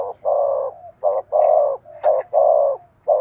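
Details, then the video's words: Decoy spotted dove in the sharp-voiced 'thúc gù' urging coo style, loud, full mid-pitched coos alternating long and short, with brief soft connecting notes between them. "Tiếng chim cu mồi thúc gù// giọng bén bổi"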